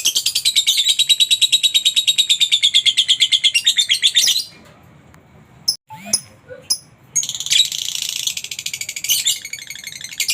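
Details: Lovebird giving a call intended to stimulate other lovebirds to sing: a long run of rapid, piercing chirps. A brief pause follows with a few scattered sounds, then the fast chattering starts again.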